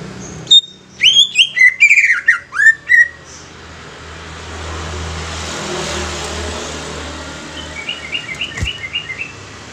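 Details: Young greater green leafbird, used to stimulate other leafbirds, opens with a quick burst of loud swooping whistled slurs for about three seconds, then fades into steady background hiss; a faint rapid chattering series follows near the end.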